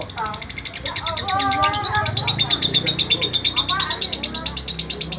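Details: Kept lovebird singing, recorded as a tutor track for training other birds: a rapid, high, buzzy chatter of pulses about three per second, with softer lower warbled notes and some background voices.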